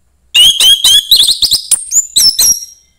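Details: Song of a young forest orange-headed thrush: a rapid run of clear whistled notes climbing into thin, very high squeaky notes near the end, with no other sounds.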